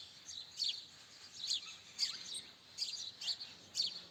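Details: Bright, clipped house sparrow chirps, roughly seven notes in four seconds, each a short high burst separated by brief uneven pauses against quiet surroundings.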